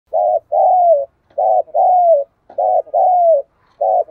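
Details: Decoy spotted dove, recorded directly from a keeper's bird, calling: steady low coos in pairs, a short hoot followed by a longer falling coo, repeated about every 1.2 seconds in a clean recording.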